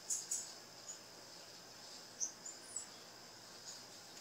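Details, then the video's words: A female Blue-black grassquit gives faint, very high, thin chips, spaced irregularly, with a soft hiss behind; the calls are played to encourage a male to sing. "O Piado dessa fêmea vai enlouquecer seu tiziu"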